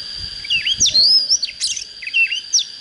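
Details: Oriental magpie-robin, a young bird just starting to sing in full voice, gives clear, varied whistled phrases with rising and falling slurs, over a steady high-pitched insect-like whine and faint low rumbling.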